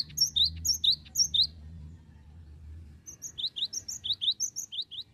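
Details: Cinereous tit from Indonesia, used as a lure song to attract other tits. High, sharp two-note chirps repeat rapidly in bursts, pausing midway before resuming; faint low rumbling background noise.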